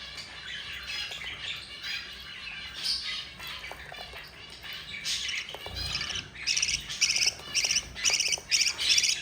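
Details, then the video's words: Budgerigar babies, four of them, fed by their yellow mother: chattering gives way to loud, harsh, buzzy squawks pulsing in an even rhythm about twice a second toward the end. "yellow mother budgie feeding her four babies"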